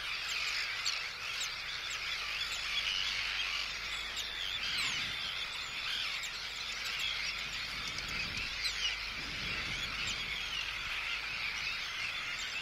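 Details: Arctic terns calling in anxiety and threat at an intruder, with calls from chicks, recorded close up in the colony; a long unbroken chorus of shrill grating cries and quick slurred notes.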